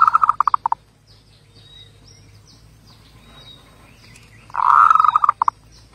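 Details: Zebra dove song: a phrase closing in clipped stuttered notes, a pause of several seconds, then another steady rolling coo ending in two short pulses; soft chirping of other birds behind.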